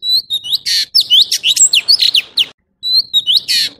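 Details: Orange-bellied leafbird song mixing loud harsh rasping bursts with slurred whistles and chirps in quick succession, pausing briefly before another scratchy, whistled phrase.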